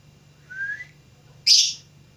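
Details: A young attempt at song from a lovebird: a thin rising whistle, then after a short gap a loud, harsh, broad chirp, over a quiet background hum.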